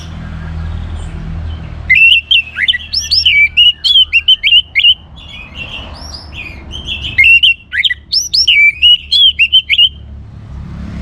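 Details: Energetic orange-headed thrush song meant to provoke other songbirds into singing: two long runs of clear, rapidly varied whistles and twittering notes, separated by a quiet gap with low hum beneath.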